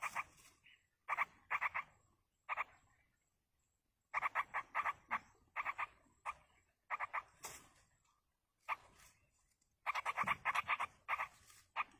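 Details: Yellow-vented bulbul parent feeding its chicks in the wild; rapid clusters of rough, nasal chattering notes come in bursts of two to six, separated by pauses of up to a second.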